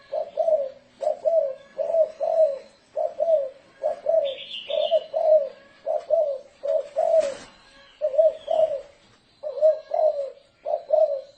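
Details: Spotted dove in 'thổ rền' style used as decoy to lure doves: a long, even series of low double coos, with a brief high chirp from another bird and one sharp knock midway.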